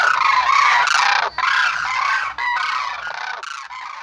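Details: Sarus crane trumpeting in a few loud, rough, rapidly repeated calls that fade toward the end, each blast broad and harsh with layered harmonics.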